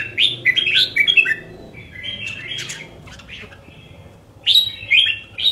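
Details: Pet red-whiskered bulbul in a cage sings a quick run of chirpy whistled notes, goes quieter with soft scattered twitters, then finishes with another loud clear whistled phrase.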